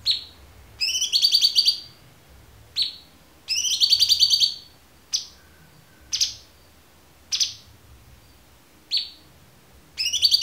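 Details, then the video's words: Cucak cungkok with a clear voice, recorded as a tutor for murai batu, cendet, kacer and konin: short buzzy pulsed rattles mixed with many sharp downward-sweeping chips spaced roughly one to one and a half seconds apart. "MASTERAN AMPUH CUCAK CUNGKOK suara jernih"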